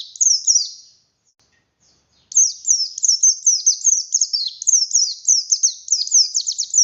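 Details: Buxtoni oriental white-eye singing energetically, used to encourage quiet white-eyes to sing: a short twittering burst, a silent gap, then a long run of fast high descending chirps.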